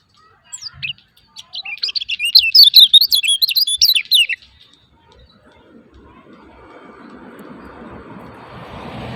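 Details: Lemon-bellied white-eye 'ciak ciak' lure call meant to set silent caged white-eyes singing: a lively burst of rapid, high, wavering chirps lasting about three seconds, followed by a steadily rising hiss of noise.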